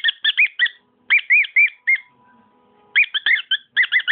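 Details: Pet cockatiel singing varied, swooping whistled notes in quick groups, pausing for about a second before another chattering burst.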